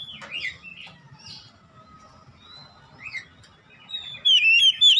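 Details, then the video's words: Ngeplong-style song of an Oriental magpie-robin for training caged birds: soft scattered whistles and slurs over a low hum, building to loud, bright high trills at the end. "AUTO NGEPLONG GACOR KACER ANDA DIRUMAH"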